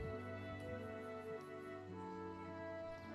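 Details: Soft, sad instrumental music with sustained tones and slow chord changes, and no animal voices.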